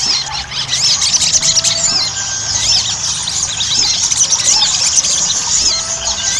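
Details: Ruby-cheeked sunbird (sogon) song played as a lure for quick singing: rapid, high, squeaky chattering with looping slurred notes packed densely, steady background hiss throughout.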